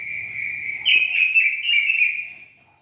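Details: Greater green leafbird, kept as a songbird, giving a loud warbled phrase of bright whistles and chatter around two to three thousand cycles, rising then settling, with a steady high tone faintly behind.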